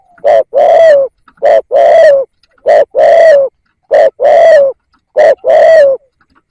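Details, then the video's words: Caged lure spotted dove repeats its coo four times, each a crisp short note then a drawn-out, falling hollow coo, spaced about every 1.3 seconds. "Tiếng Cu Gáy / chim cu gáy kích bổi nhanh nổi"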